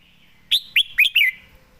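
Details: Red-whiskered bulbul perched and singing at ease, praised for fine phrasing and quick delivery; one brisk phrase of four loud, liquid whistled notes, each sharply rising then falling, run together within under a second.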